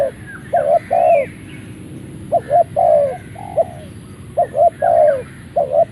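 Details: Spotted dove from a Malaysian line, kept for ground contests, crowing as soon as it leaves its box. It gives low, hollow coo phrases of short and long notes, repeated about every two seconds, with faint higher chirps behind.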